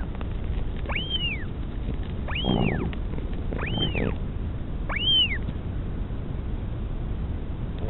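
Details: During feeding of a chick by its mother, northern royal albatross, at a Pukekura/Taiaroa Head nest near Dunedin, New Zealand, 2016, via nest camera: four rise-and-fall whistled squeals, a couple with rough low bursts, then wind only.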